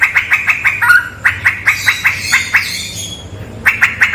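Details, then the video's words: Straw-headed bulbul song from a cave said to be haunted: rapid series of clear, ringing notes repeated about four per second, broken by a brief slurred warble and a short pause before the run resumes. "MP3 suara cucak rawa"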